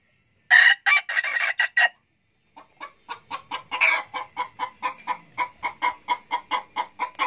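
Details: Young F2 decoy male red junglefowl with golden hackles, crowing in a 'cà lắm' voice: a choppy burst of loud, harsh syllables over about 1.5 seconds, then a pause and a long run of steady, clipped pulses about three per second.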